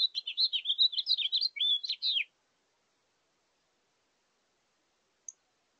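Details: A House Finch at a bird feeder at breakfast time on 26 April 2023 sings a fast, jumbled warble of high twittering notes for about two seconds, then one faint chirp; finding: House finch.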